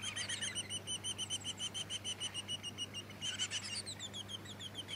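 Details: Splendid fairywren of the black-backed subspecies (melanotus) in Victoria, Australia, December 2017: high, thin, rapid reeling trill of tiny repeated notes, breaking off briefly then resuming, over a low steady hum.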